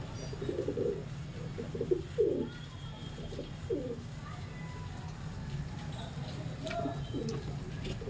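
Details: Mating pigeon cooing, several short rolling low coos in quick succession in the first half, then quieter, over low constant hum.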